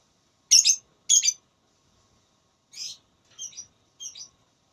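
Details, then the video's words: Lovebird in a singing-contest voice battle, giving two loud harsh high chirps close together, then after a pause three softer, shorter chirps spaced about half a second apart. "Lovebird Tarung Suara"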